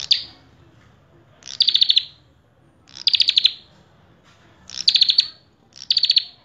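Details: Common tailorbird, prenjak kepala merah, in gacor full isian song: loud buzzy bursts of rapid high pulses, each lasting about half a second and repeated roughly every one and a half seconds.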